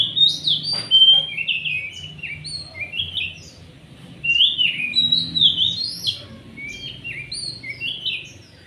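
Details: Oriental magpie-robin singing vigorously, its song used to lure or provoke other birds: bright whistled notes and slurred phrases, rising and falling, in quick varied bursts with brief pauses.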